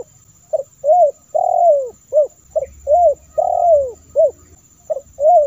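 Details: Spotted dove call used to lure wild doves. The phrase of short coos and a long falling coo repeats about every two seconds, clear and mellow, over a faint low hum.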